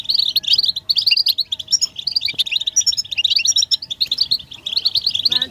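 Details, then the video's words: Collective goldfinch twittering and mating calls used to encourage silent males to sing; busy overlapping chirps and short trills in pulsing bursts, high tinkling notes mixed in, ending with a brief rising sweep. "بتبتة حسون الشوك تحفيز الحسون على التغريد والهيجان علاج صمت الحسون goldfinch stimulation"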